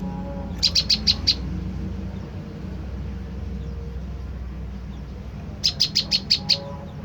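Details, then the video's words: Tailorbird lure call (prenjak lumut) for provoking an answer: a run of five sharp high chips, a long gap with only low hum, then a second run of six to seven chips. "putar suara prenjak lumut ini dijamin prenjak stres//macet bunyi langsung nyaut"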